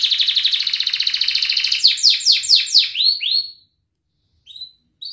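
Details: Canary song used to tutor young canaries, in the ngerik and ngerol style. A fast buzzy rolling trill turns into loud downward sweeps and a few rising whistles. Two short chirps follow after a pause.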